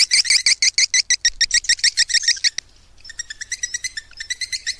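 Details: Swiftlet call used to attract swiftlets: rapid, even series of sharp chirps, about three per second, with a brief gap near the middle, then a softer run of thinner, quicker chirps.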